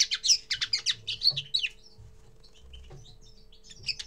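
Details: A common linnet's first song opens with a fast burst of twittering chirps, then drops to a quiet stretch with a few soft scattered notes and a final short twitter. A low hum sits underneath.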